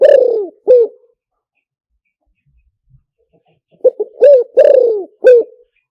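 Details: Luring call of a spotted dove: the tail of one phrase, with a falling coo and a short note, then a quiet gap. A complete phrase follows: two staccato coos, a rounded coo, a long descending coo and a final short one.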